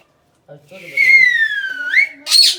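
A cockatiel gives a clear, drawn-out whistle that slides gently down, then flicks upward.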